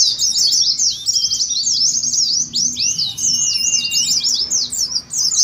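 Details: Fast high twittering of Oriental white-eyes, the ngeriwik style, used to coax kept birds to sing as in a contest. Steady, crowded chirps, with a short slurred whistle below partway through.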